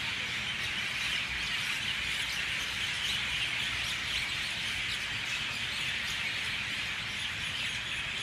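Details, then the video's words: At dawn, as birds start leaving the trees, a dense chorus of mynahs gives overlapping harsh chatters, squeaks and whistles that blend into a steady, shrill wash without pause. "Dawn chorus of Mynah birds"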